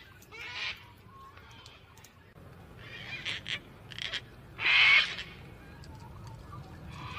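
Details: Gang-gang cockatoo calling repeatedly: several rasping, creaky screeches of varying length, the loudest a harsh grating burst near the middle, with quieter scratchy notes between and low background noise.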